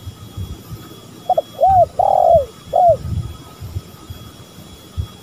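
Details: Spotted dove lure recording with male and female calling: one phrase of two short clipped notes, a long drawn-out mellow coo, then a short closing coo, all low and hollow, over faint low rumble.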